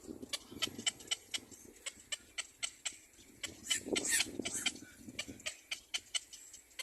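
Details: Screaming black-crowned chick behind its mother: rapid, sharp, high chips repeated several times a second, broken midway by a brief harsher squawking burst and some rustling.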